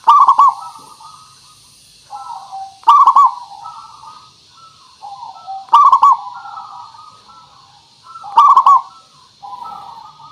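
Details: Zebra dove of a local strain cooing as a lure to make birds respond: four loud bubbling, stuttered coo phrases roughly every three seconds, each followed by softer drawn-out coos.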